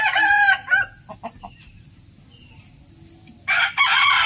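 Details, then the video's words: Rooster crowing in the morning: two loud, harsh harmonic bursts at the start, a few soft clucks in between, then another ringing crow toward the end. "rooster crowing sound effect"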